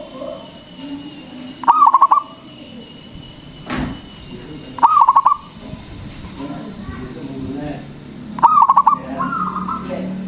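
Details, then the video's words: Local zebra dove singing strongly, used to stimulate quiet or stressed doves. Three short stuttering phrases of pulsed low coos are spaced roughly three seconds apart, with a sharp knock between two of them. "PERKUTUT LOKAL GACOR SUARA BESAR ISTIMEWA PANCINGAN BURUNG PERKUTUT AGAR BUNYI"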